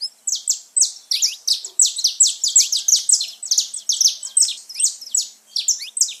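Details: A saffron finch sings, used to rouse kept birds: dense, steady string of loud buzzy notes sweeping downward, about three to four per second.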